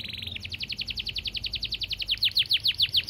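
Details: Canary in fast dense song: a brief buzzy trill gives way to rapid, evenly spaced descending notes, later becoming sharper downward sweeps.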